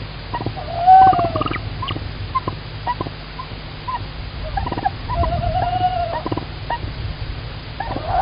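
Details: Tawny owl singing at a live-streamed nest on 25 March 2019 while its mate again brings food; faint, wavering tonal hoots and quavering notes rise and fall over a steady hiss of background noise.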